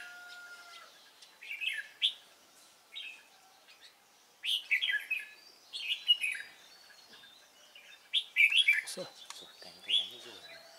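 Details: Red-whiskered bulbul of the Cánh ruồi type, prized for its fine voice, recorded during trapping on 3 March 2017: short bright warbled phrases, some slurred and rising, in bursts every second or so, with a faint steady tone at first.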